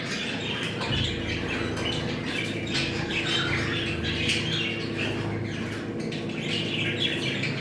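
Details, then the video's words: Budgerigars twittering in a breeding-stimulation call: a continuous mix of soft warbles and scratchy squawks, with a steady low hum underneath. "Muhabbet kuşu kızıştırma sesi. Muhabbet kuşu çiftleşme sesi"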